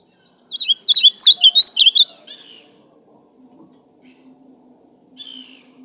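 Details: An azulão, the ultramarine grosbeak, sings a fast phrase of loud looping whistled notes lasting under two seconds, followed by silence with a low hum and a short softer call near the end.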